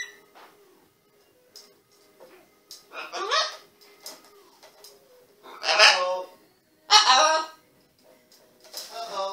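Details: Pet green-winged macaw (Ara chloropterus) in Canada giving four harsh, raspy squawks a second or two apart, each loud and grating, over a quiet indoor background.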